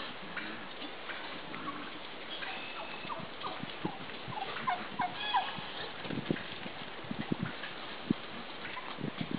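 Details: Midget White turkeys mating, a receptive hen with a dancing, displaying tom; short bursts of turkey clucks and gobble-like notes cluster mid-clip, with scattered low thumps over a steady background hiss.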